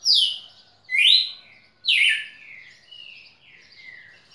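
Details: Red-cowled cardinal, a tutor bird for teaching song, sings loud whistled phrases: three strong slurred notes about one second apart, each sweeping downward, followed by softer, lower trailing whistles; quiet indoor setting.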